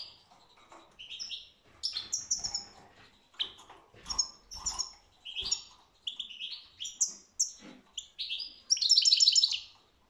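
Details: European goldfinch song with a steady run of chirps, tinkling whistles and twitters, ending in a short buzzy trill.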